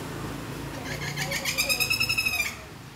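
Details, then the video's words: Woodpecker call: a rapid burst of about ten harsh, evenly spaced notes lasting roughly a second, high-pitched and nasal-sounding, with faint low background hum throughout. "woodpeckers bird"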